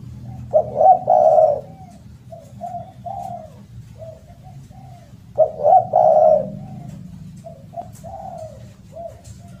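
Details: Spotted dove giving loud, melodious coos, meant as a lure and master recording for captive doves that have stopped calling: two phrases about five seconds apart, each two short coos then a longer drawn coo, with softer coos between over a low hum.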